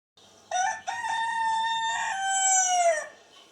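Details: Rooster giving a single long crow, a loud harmonic call that opens with a short note, then holds a steady, slightly wavering tone for about two seconds before dropping away. Background is quiet.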